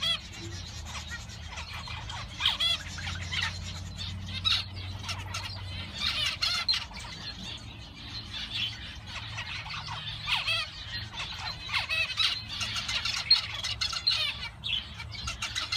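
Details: Male zebra finches in a busy group, giving dense overlapping nasal chirps and short harmonic beeps that come in bursts throughout, with steady low hum underneath.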